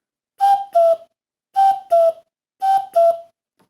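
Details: Common cuckoo call played in a lesson, three clean two-note cuckoo phrases, each a higher note followed by a slightly lower one, roughly once a second, in a small quiet room.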